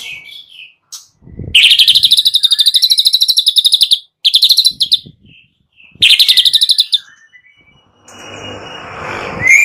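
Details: White-rumped shama lure song for morning, packed with 'kretek' rattles. High, buzzy, rapidly pulsed trills run in three long bursts separated by short gaps, followed by a hissing, scratchy noise.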